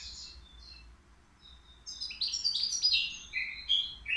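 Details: Caged European goldfinch, three years old, at the Qriaa bird market, singing without faults; a couple of thin high notes, a quiet pause, then an energetic cascade of tinkling trills and chirps.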